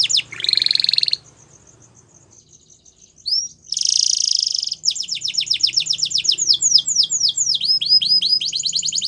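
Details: Belgian canary, a male, sings a buzzy rolling trill, a pause with soft high ticking, another intense buzz, then long runs of rapid falling whistled notes about four per second, with faint low hum behind.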